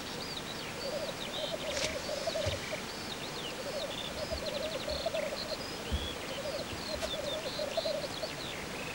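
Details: Male black grouse at a lek, giving its courtship display: a continuous low, dove-like bubbling rookoo rolling on in steady phrases, with many higher whistled and chirping calls of other birds above and a few brief clicks.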